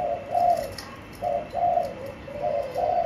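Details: A caged spotted dove, blue cage base, utters soft hollow coos in pairs with a short gap, ending on a rising-then-falling note.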